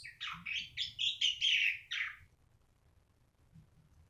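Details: Black-winged starling song: a rapid run of scratchy, buzzy chattering notes lasting about two seconds, then quiet with faint low background hum.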